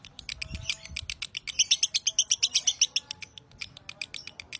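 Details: Broty lovebird singing a long master phrase: irregular high chirps swell into a dense, ringing rapid sequence, then settle into looser ticking calls.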